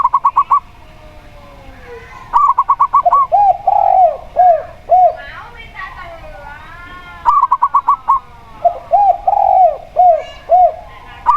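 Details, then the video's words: Local zebra dove, clear and open in tone, against a spotted dove: repeated bursts of rapid, clipped high notes alternate with runs of four or five lower arched coos across the recording. "Perkutut Lokal Suara Plong"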